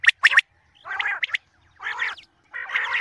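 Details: Common quail, sound for morning hunting: a quick burst of three sharp, liquid notes, followed by three harsh, wheezy, rasping phrases spaced about a second apart.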